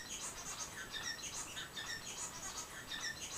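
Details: One of three new Society finches gives soft, high chirps and short twittering notes, scattered at about one per second, over a faint background hiss.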